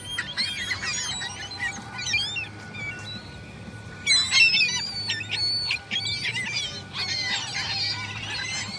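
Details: Gulls crying in busy, overlapping bursts of shrill, wavering calls, quieter in the middle then surging again, alongside a thin steady tone and a low background drone.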